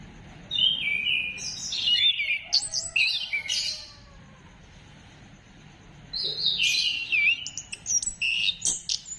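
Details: Orange-headed thrush song as a lure for singing, dated 15 December 2025: a long outpouring of varied whistles, trills and harsh notes, a short lull, then another lively, chattering phrase.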